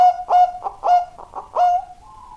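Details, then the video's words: Zebra dove singing with broken, uneven cooing: a few strong ringing notes among softer, rougher ones, ending on a faint, slightly higher drawn note. "burung perkutut super gacor"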